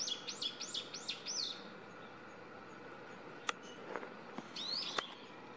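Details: A still-young brown-eared bulbul perched on a power line outside a home, six to seven metres off, gives a rapid series of five piercing, arched squeals. After a pause one more squeal follows, with constant electrical humming underneath.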